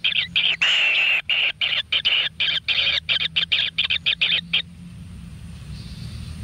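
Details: Nestling kingfishers being fed frogs in a natural nest give a fast series of scratchy, buzzy calls that speed up and then stop abruptly, leaving quiet background hum.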